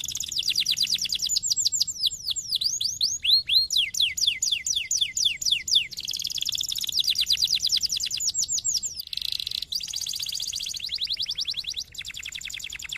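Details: Continuous canary song used to stimulate other canaries to sing, varied tours of fast rolling trills, cascades of falling whistles, buzzy passages and quick chattering rolls, loud and sustained throughout.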